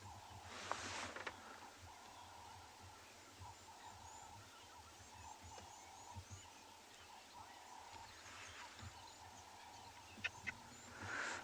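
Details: Crested Francolins give distant, harsh, repeated cackling alarm calls in steady bursts, over a low engine rumble and faint calls of other birds, on a morning game drive, 14 May 2020, Ngala Private Game Reserve, South Africa.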